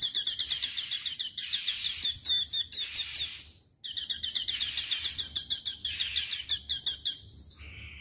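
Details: Straw-headed bulbul singing vigorously in a rapid 'tembakan' style: dense bursts of high, sharp, chattering notes repeated several times a second, with a brief pause mid-phrase and a low rumble underneath.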